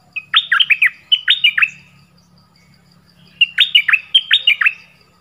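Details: Nok dok taeng bird, Thai local name, in full song with clear original voice and many song phrases: two bursts of rapid, bright, downward-swooping whistled notes, each burst about a second long, separated by a quiet pause.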